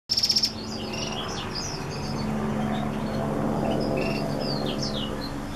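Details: Black-throated x Reichenow's seedeater hybrid singing a run of short, high, thin whistled and chirped notes, some slurred up or down, over a steady low hum.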